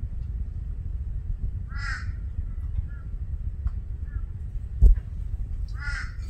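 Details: Two rasping caws from a Torresian crow about four seconds apart, each short and slightly falling, with a sharp knock between them and low rumbling noise throughout.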